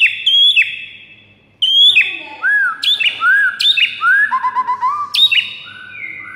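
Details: White-rumped shama song recorded in the morning as training material for caged birds: loud, clear whistled phrases, some sliding down, others looping upward, with sharp high flicks and a short pause early on.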